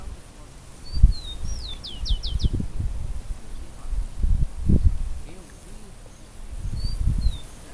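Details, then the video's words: Wild bird song in a natural setting: a descending whistled note leading into five rapid downslurred notes, then a brief whistle again near the end, with low thuds and rumble underneath. "Pássaro cantando na Natureza"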